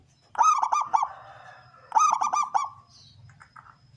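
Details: Male local zebra dove in full voice, its big-'kung' song used as a lure for wild local doves; two stuttering, pulsed cooing phrases ending in a loud coo, with a third beginning at the end, on a quiet background.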